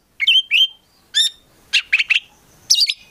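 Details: Prospect Oriental magpie-robin giving brief whistled and buzzy notes separated by pauses, ending with a quick high twittering phrase.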